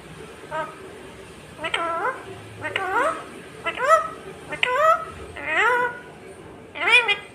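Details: Talking parrot indoors, producing a series of harmonic, voice-like syllables, some rising and some falling, roughly one each second, over low room hum.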